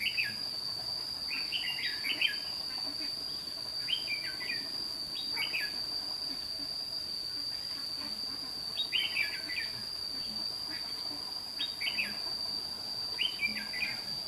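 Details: Red-whiskered bulbul used as a lure bird to call in wild birds at a trapping site in Thanh Liêm, 29 May 2016; short bubbly warbled phrases recur every two to four seconds over a steady high insect whine.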